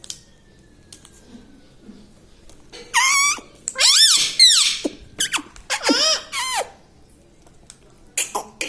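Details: Pet parrot kept indoors, mimicking human words such as mummy, papa and radhe radhe; a few harsh, nasal, warbling syllables with rising and falling pitch come in short bursts between quiet pauses and small clicks.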